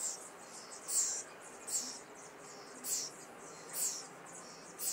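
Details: Caged young common starlings in Liepāja, Latvia, May 2024, with urban background: high, hissy, squeaky notes pulsing roughly every second, each a short swelling burst, over faint city noise.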